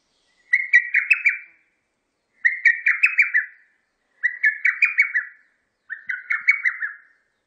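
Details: Lesser cuckoo calling: four quick phrases, each a tumbling run of about six sharp whistled notes at a mid-high pitch, repeated roughly every two seconds against a quiet background.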